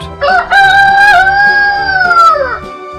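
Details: Rooster crowing: one drawn-out cock-a-doodle-doo that starts with short choppy notes, then holds a long, level, ringing tone before falling at the end, with soft background music.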